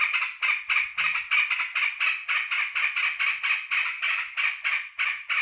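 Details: Yellow-vented bulbul greeting the person who cares for it on return from work: an even stream of scratchy, buzzy notes delivered some three to four times per second.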